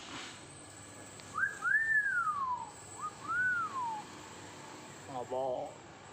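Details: Common hill myna learning to talk, giving two long clear whistled notes that rise then glide slowly downward, followed by a brief softer chirp near the end, with room hiss and a person's voice nearby.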